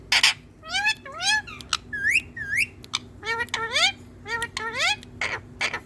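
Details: Green Indian ringneck parakeet, hand-tame, talking into a mirror; strings of upward-swooping, speech-like harmonic syllables interrupted by short harsh bursts, delivered in quick groups with brief breaks.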